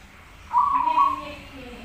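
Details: Zebra dove (perkutut) singing one low rolling coo phrase, soft and warbling, with faint murmuring voices trailing afterward.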